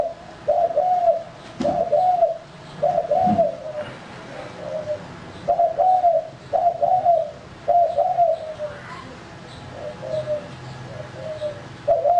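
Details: Male spotted dove used as a lure bird, giving soft mid-pitched coos in short two- or three-note phrases, each slightly falling, repeated roughly every second with brief pauses; a faint higher chirp near the end.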